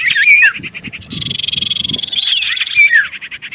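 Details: Common iora calling to draw answers from other ioras: a twisting whistle, then a long buzzy trill of rapid pulses, ending with more slurred whistles and rattles.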